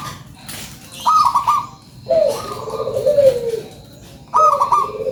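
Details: Zebra dove, local type, singing a lure song: a high trilled flutter, a long descending low bubbling coo, then another high flutter beginning, loud against a quiet background.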